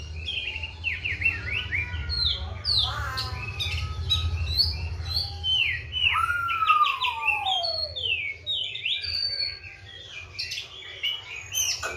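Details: Oriental magpie-robin (kacer) kept bird, fed seven crickets and bathed mornings and evenings, pours out a rich, varied song of rapid whistled slurs and chatter, with a long descending whistle midway and a low hum throughout.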